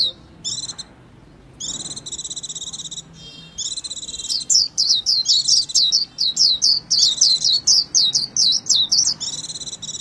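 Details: Japanese white-eye alternating buzzy trilled phrases with a long, energetic stream of high, down-sliding chirps, about two notes a second.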